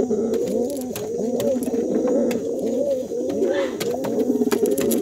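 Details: Brown pigeon calling to attract a mate: continuous deep throaty rolling coos overlapping one another, with a few clicks and faint room noise.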